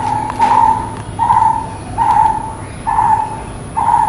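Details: Repeated hollow, mellow notes from a brown-headed barbet, each about half a second long, coming roughly every 0.8 seconds, five notes heard over a quiet hiss.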